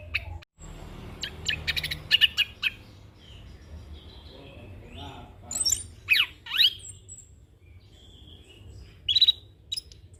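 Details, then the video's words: Young orange-headed thrush, recorded for training and luring, gives a rolling song with fill-ins: a burst of clustered notes, a long quiet gap, then sharp descending whistles and a final high call. "Anis Kembang Ngeroll Full isian - Masteran dan Pancingan Burung Anis Kembang Muda"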